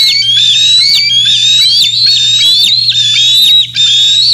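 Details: Bald eagles at Decorah North, morning of 27 June 2024, young birds near the nest while fish were delivered; insistent high whistles, some starting lower and sliding up, broken by quick downward flicks, nearly nonstop.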